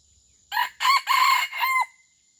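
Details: Red junglefowl from Aceh kept as a pemikat, a lure for attracting wild birds, gives one loud crow in four bursts over about 1.3 seconds, the last syllable held level and drawn out, with a faint steady insect hum behind.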